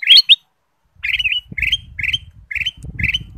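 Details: Kutilang emas, the ruby-throated bulbul, singing lively lure phrases: two sharp rising notes, a pause, then five quick chortled phrases about half a second apart over a faint low hum.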